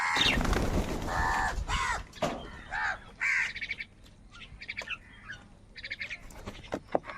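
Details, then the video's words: Crows fighting for food give harsh, nasal caws in quick runs of several, loud at first and then fainter, with other softer caws and clicks in the background. "কাকের ডাক Crow Sound Loudly | Different kauwa ki awaz | Kaka sound and noises of crow birds"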